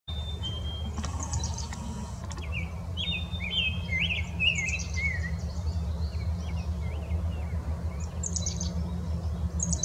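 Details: Rose-breasted Grosbeak in Southeast Wisconsin giving a run of short, sweet, slurred notes, with high thin chips from other birds over a steady low rumble.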